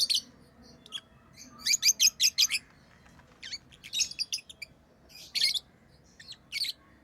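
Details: Pet lovebirds chatter in quick series of sharp, high, buzzy chirps, several notes in rapid succession and then brief pauses, over a low background hum.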